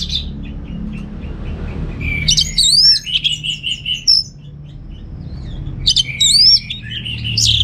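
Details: Orange-headed thrush, a home-kept bird in North Bali, delivering bursts of high whistles with fast up-and-down slurs and chattering phrases, separated by quiet gaps; steady low hum underneath.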